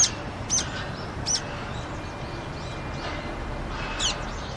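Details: Brown-eared bulbuls come to drink on a Seoul rooftop on a colder day in February 2020; a few loud, high, strident squeaks spaced irregularly, with low traffic hum behind.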